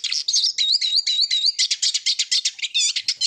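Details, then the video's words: Eurasian siskin song: rapid chattering twitters about four per second, a run of wavering whistled notes early on, then dense buzzy high phrases, clean and close. "Eurasian Siskin Song - تغريد النعار"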